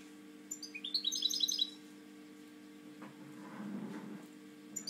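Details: Caged European goldfinch singing a brief, fast, high twittering phrase of bright chirps. Quiet follows with a low steady hum, a soft rustle and a faint closing chirp.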